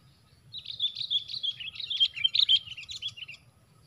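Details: Sooty-headed bulbul fight, four birds against one, during lure trapping; a clean, loud run of rapid high chirps and twitters lasting about three seconds.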